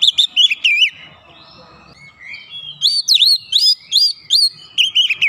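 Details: Oriental magpie-robin song meant as a lure to provoke another bird: high, sharply slurred whistled notes in quick bursts, a pause with a faint rising glide, then a fresh series of looping whistles, faint low rumble beneath.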